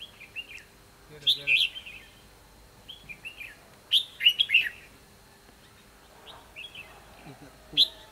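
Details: Red-whiskered bulbul fighting song during a trapping session on 24 December 2015: bright warbled phrases of three to four quick notes, the loud phrases coming about every two and a half seconds, with softer chirps between.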